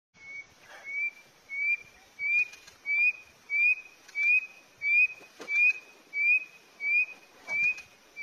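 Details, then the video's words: Indian chukar partridge singing a steady series of short, upslurred whistled notes, about one every two-thirds of a second, with a few faint knocks in the background. "chakoor singing"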